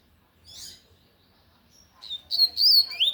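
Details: Lined seedeater, Tui Tui song delivered loudly; a brief buzzy note, a quiet gap, then clear high whistles that hold steady and then rise, ending in a falling slur.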